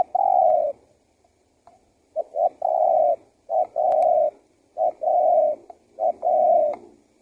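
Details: Lure call of a spotted dove meant to attract wild doves: repeated phrases of one or two short notes leading into a long, level, slightly falling coo, about four phrases.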